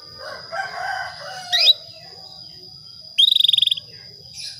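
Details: Female Atlantic canary calling a male to trigger breeding: a short rising chirp, then a half-second trill of rapid, evenly pulsed high notes, with soft lower chatter and a constant high-pitched whine in the background.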